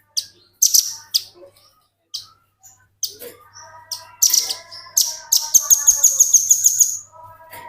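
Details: Velvet-fronted nuthatch used as a tutor recording for training other birds: sharp high chips in separate bursts, then lower tonal phrases, ending in a fast, loud trill of piercing repeated notes.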